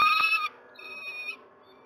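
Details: Male peregrine falcon at a nest in Moszna, Pruszków, Poland, calling to demand a change-over; two loud, harsh, strongly harmonic notes in quick succession, then a longer thinner drawn-out whine fading out.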